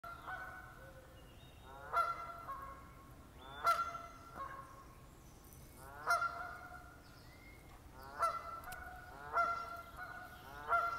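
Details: Bird calling near a casino hotel: loud, nasal, harmonic notes with sharp rising sweeps, repeated roughly every one to two seconds over steady background hum.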